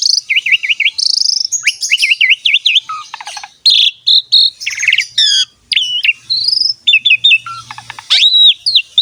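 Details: Asian pied starling singing a training song to draw other birds into song: wavy repeated whistles, sharp chips, rattling bursts and high slurred notes in a busy, unbroken flow.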